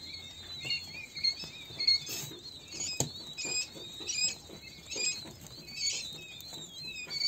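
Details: King quail chicks: thin, high peeping whistles in irregular bursts, some wavering up and down, over a steady background of scratching and pattering feet.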